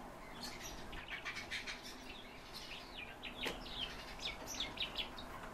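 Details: Calandra lark delivering an unbroken, varied song of quick chirps, slurred whistles and twittering phrases, steady in loudness across the whole passage.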